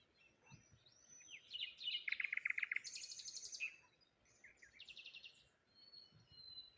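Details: Cheerful morning chirping of birds beside water, a lone tree and rose hips nearby; rapid rattling trills and buzzy high notes overlap in the first half, followed by softer scattered twitters and a thin whistle.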